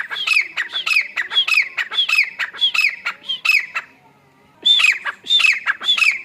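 Grey francolin giving harsh, squawking notes in rapid bursts, about five per second, with a brief pause before the calling resumes.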